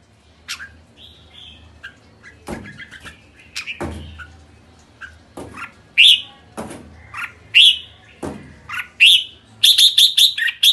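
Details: Red-whiskered bulbul calling: scattered short chirps and slurred whistled notes, quiet at first, then louder bright rising notes toward the end, with a few sharp clicks between.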